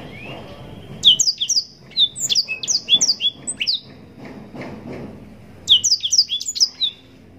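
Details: Rising whistle, then a yellow-rumped serin's fast sequences of high downslurred chirps in two bursts with a short gap, delivered in the prolonged 'nembak panjang' manner prized for training contest birds.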